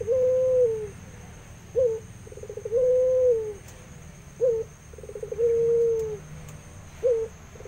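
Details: Barbary dove, puter pelung, kept in an aviary and in full voice, repeating its coo phrase roughly every three seconds: clipped opening note, quick pulsed roll, then a long sustained coo that dips at the end; faint rumble underneath.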